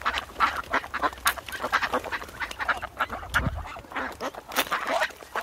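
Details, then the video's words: Wild ducks give a steady chatter of short, nasal quacks and murmurs, several birds calling over one another in quick succession; finding: Duck. "Wild Ducks with Natural Sound"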